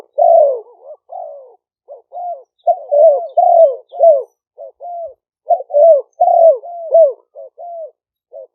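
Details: Two caged spotted dove decoys, Malay strain and a lively karom line, sometimes singing together, recorded live by smartphone in Roi Et province, Thailand, for luring wild doves. Dense, overlapping deep coos, wavering and falling, in an almost continuous stream.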